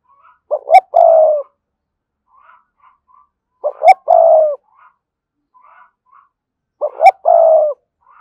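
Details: Decoy spotted dove with a strong 'thúc' voice sings three evenly spaced phrases, roughly every three seconds: two clipped rising notes followed by a long, level, mellow coo, with soft quiet notes in between.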